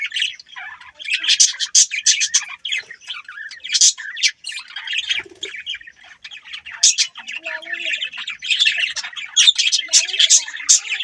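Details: Australian budgerigars keep up a continuous, busy warble of thin chirps and raspy trills, varied and uneven in rhythm, some notes climbing high, with brief quieter gaps.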